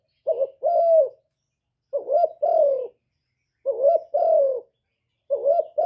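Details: Spotted dove delivering evenly spaced coo phrases, roughly every one and a half seconds. Each phrase is a short quavering note and then a longer, slightly descending hoarse note. The surroundings are quiet.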